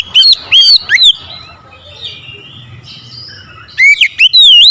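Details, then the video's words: Oriental magpie-robin singing aggressively at a rival: loud hooked whistles and clicks at the start, then a long quiet stretch, then another burst of sweeping whistled notes. "KICAUAN KACER POWER KERAS | MEMANCING EMOSI KACER LAWAN LANGSUNG NGOTOT BONGKAR ISIAN"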